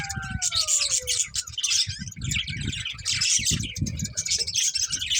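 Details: Budgies chatter in dense, buzzy warbling while a smooth whistle glides downward at the start; low thumping and rumbling noise runs throughout.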